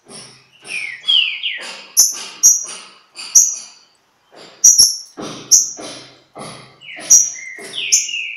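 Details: At Pedra Azul, a green-winged saltator in song dispute with a free bird gives short slurred whistled phrases early and late, separated by thin high ticks and soft rhythmic rustling bursts.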